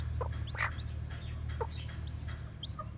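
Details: Newly hatched white black-tailed bantam chicks walking about: scattered short peeps and soft chirps, a few each second, over a steady low mechanical hum.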